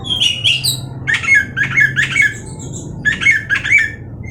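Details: Oriental magpie-robin, kept as a pet, singing rich whistled phrases in short bursts, paired notes repeating roughly every half second with brief pauses, in a small room.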